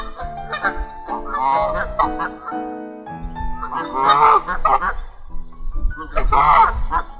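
Canada geese honking: loud, nasal, two-toned honks from several birds overlapping at an uneven pace, swelling into noisy bursts.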